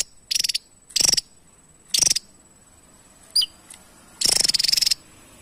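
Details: Javan tesia singing energetically for use as a master recording to train other songbirds: short, high buzzy rattling bursts at irregular intervals, a single sharp thin chip, then a longer rattle at the end.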